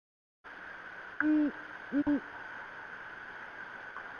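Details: Great horned owl hooting on the Decorah eagle nest camera at 9:50 pm on Friday, January 13, 2017. One drawn-out low hoot, then two short hoots in quick succession, over a steady electronic hum.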